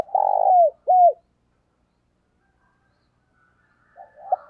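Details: Morning call of a decoy spotted dove luring wild doves. A long buzzy low coo falls at the end, then a shorter arched coo. Long silence follows, then faint softer cooing.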